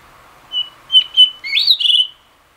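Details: Late-afternoon song of a blue rock thrush: three short pure whistled notes, then a fluid sweeping warble that breaks into fast trilled flourishes.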